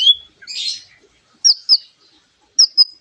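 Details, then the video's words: Lovebird-imitating song of a white-rumped shama, meant to provoke other birds to sing: a harsh squawk followed by paired high, thin whistled chirps, repeated twice with silent gaps. "MURAI BATU ISIAN LOVE BIRD GACOR PEMANCING EMOSI"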